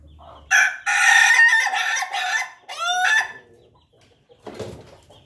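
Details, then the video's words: Ayam Ketawa rooster crowing: a loud, harmonic-rich, choppy series of rapid syllables running almost three seconds, broken by short pauses and ending on a rising, laughing note, then a brief rough burst after a quiet gap. "suara merdu ayam betkokok ayam ketawa"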